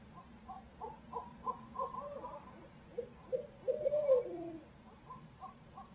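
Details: Barred owls at a nest in Midtown Tulsa, with the pair sharing parenting duties. Soft, mid-pitched hooting and cooing notes come in quick irregular bursts, with a louder run near the fourth second over a faint low hum.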